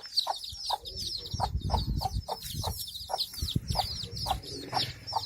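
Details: Hen with her chicks in a village, giving short repeated clucks roughly twice a second while many chicks peep in high thin notes throughout, with some low rustling and handling noise.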